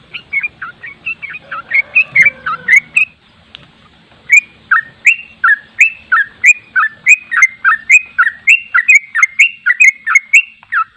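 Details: Ropel-style song of a sooty-headed bulbul: quick chattering whistled notes, a brief pause near three seconds with faint background rumble, then a steady rolling series of bright slurred notes continuing to the end.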